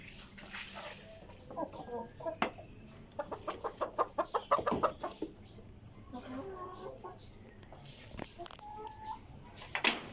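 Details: Tiger chickens eating vegetables; a burst of quick repeated clucks about three per second in the middle, then scattered calls and a short tonal note, with sharp clicks and knocks.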